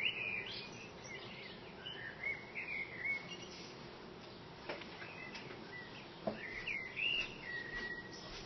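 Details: Outside a window, a male common blackbird perched atop a branch sings warbled, fluting phrases at the start, around two to three seconds and near seven seconds, with faint clicks and steady background noise between them.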